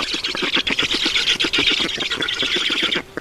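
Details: Black storks at a nest in Estonia during feeding, 7 June 2019 at 16:18. A dense, rapid run of harsh squealing, squawking notes, several per second, continues almost unbroken for about three seconds before fading.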